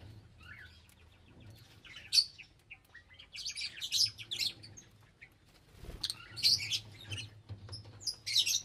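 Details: Colourful lovebirds give scattered shrill, high chirps and short squeaky notes in irregular bursts, with a steady low hum underneath.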